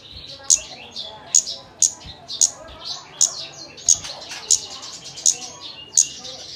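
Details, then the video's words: Kemade, the Malaysian pied fantail, on a training track meant to get birds singing: a busy run of sharp high clicks about every half second, woven with thin whistles and buzzy trills. "Pancingan kemade bahan agar cepat bunyi"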